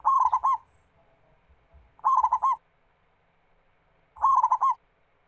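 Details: Zebra dove of a local type, recorded as a lure to prompt other doves to sing: three rolling coo phrases, quick warbled notes ending in a downturned hoot, spaced about two seconds apart, with faint low thumps.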